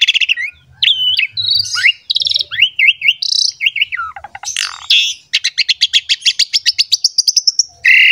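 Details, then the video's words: Asian pied starling song played as a lure so other starlings join in, the bird singing hard while pumping: twisting whistles and harsh scratchy notes, then a long, evenly pulsed rising trill of many clicks. "SUARA JALAK SUREN GACOR MOMPA UNTUK PANCINGAN JALAK"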